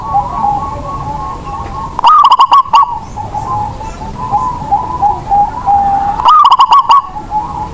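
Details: Indonesian local zebra dove kept as a lure bird whose song spurs reluctant doves into singing; two quick bursts of clipped, stuttering coo notes about four seconds apart, set against a continuous droning mid-pitched tone.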